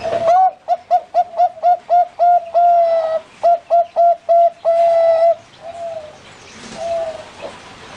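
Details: Caged zebra dove of the Bangkok type at a bird farm in Pamekasan, Madura: a quick string of short, even coos followed by longer held notes, then the singing drops away to faint distant cooing.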